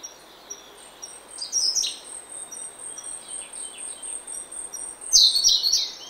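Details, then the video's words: Early-morning oak woodland with a Grey-backed thrush in song: short slurred notes early on, then a loud, dense warbling burst near the end, while other birds keep up thin, high, steady whistling. "Early Morning In Oak Woodland. Prominent Song From Grey-Backed Thrush."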